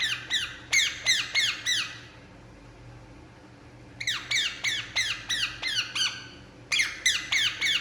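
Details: Indian ringneck parakeet making sound while relaxing indoors in a small room: bursts of harsh, descending squawks with rich harmonics, about five quick notes per burst, three bursts separated by short pauses, with faint low hum behind.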